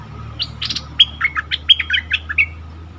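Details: Caged Stripe-throated Bulbul decoy bird in full plumage, taken into forest to lure wild birds, 2021: a lively phrase of about ten bubbly, warbled notes, some slurred downward, delivered rapidly over two seconds.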